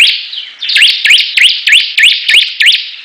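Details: Bar-winged prinias battling in full song: after a softer start, rapid repeated upswept chirps come roughly three per second over an unbroken high, buzzy twittering background.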